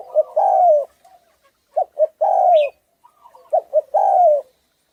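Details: Spotted dove of the Thai strain, hoarse in tone, cooing to provoke other doves; three repeats of two brief low notes and a long descending coo, roughly every one and a half seconds, a faint high chirp between.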